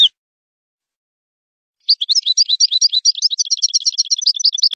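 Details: A wild goldfinch sings a lesson for young goldfinches: one short note, a pause of almost two seconds, then a lively rapid chatter of tinkling, twittering notes that speeds into tight repeated trills.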